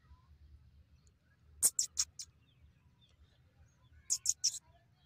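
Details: Black francolin (kala teetar) calling: two quick bursts of four short, sharp, high grating notes about two and a half seconds apart, fairly distant, over a quiet low background hum.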